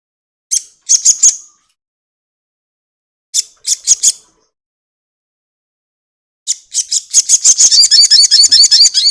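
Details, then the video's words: Crested jay in a lure recording intended to get other birds singing quickly: short clusters of harsh, high clicking notes, then a sustained rapid rattle of evenly repeated dry notes that carries to the end. "pancingan sogon ekek panjang"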